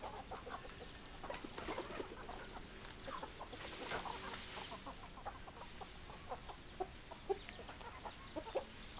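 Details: Hens clucking: short, scattered clucks at irregular intervals, some in quick runs, over a steady hiss of background noise.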